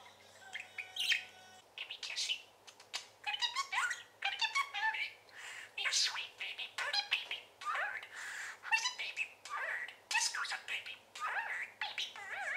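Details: Long run of busy parakeet chatter from a pet bird indoors: quick warbled, squeaky and scratchy notes tumbling one after another with barely a break, and a faint low hum in the room behind.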